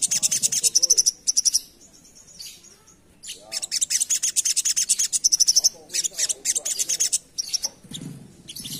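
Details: Asian pied starling in energetic full song for luring birds: rapid strings of scratchy, high-pitched notes and bright whistled trills in long bursts with brief gaps between phrases.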